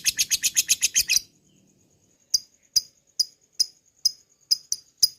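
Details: Lovebird in a lure recording meant to draw long ngekek: a second of fast shrill chatter, a pause, then sharp isolated ticking chips spaced about half a second apart over a faint steady high tone.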